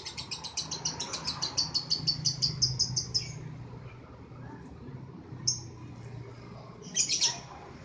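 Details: Caged lovebird giving a long ngekek trill: a fast, high, chattering series of sharp notes, about three seconds long and gradually speeding up. Quieter low hum follows, then two short high squeaks near the end.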